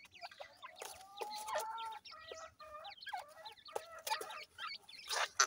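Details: Grey francolin (dakhni teetar) chicks in Multan make a busy chorus of overlapping thin peeps and chirps with clear tonal notes. The calling runs with little pause, and a few loud clicks break in.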